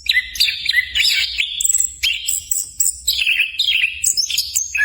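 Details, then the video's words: Anis kembang, or orange-headed thrush, giving tutor song to stimulate other birds. Full, warbling phrases with rising and falling slurs come in short bursts separated by brief pauses, with some high whistled accents. "SUARA MASTERAN BURUNG ANIS KEMBANG COCOK UNTUK PANCINGAN BIAR CEPAT GACOR"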